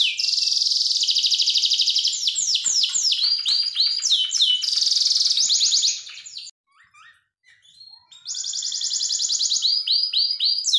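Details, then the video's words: Master song of a canary for teaching young birds: dense high rolling trills and quick descending whistles for six seconds, a near-silent pause of about two seconds, then another loud bright trill series. "MASTERAN KENARI SUPER"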